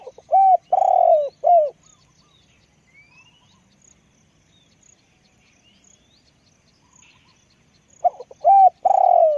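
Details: Spotted dove cooing loudly: a phrase of three low, hollow coos, the middle one longest, followed by near silence and then another matching three-note phrase; faint high insect-like ticks in the background.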